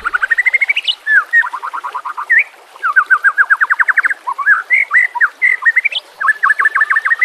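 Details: Murai batu (white-rumped shama) 'masteran nembak kasar' training song: rapid stuttered series of clear notes, repeated in bursts of five to ten. Curling whistled phrases are mixed in, all in one steady mid-high band.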